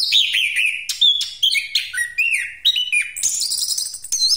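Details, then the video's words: Chestnut-capped thrush singing a fast, rolling stream of varied whistles, slurred notes and high chattering trills with no pauses. "Anis Kembang Pastol Ngeroll"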